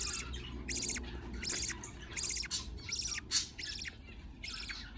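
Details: Budgie chicks fed by their parent, calling in raspy, noisy bursts about every 0.8 seconds, each with a harsh high edge, plus a brief sharper squeak near the middle.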